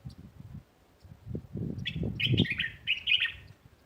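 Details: Sparrows singing in a neighbourhood garden: a run of rapid, high chirps in the second half over low rumbling background noise.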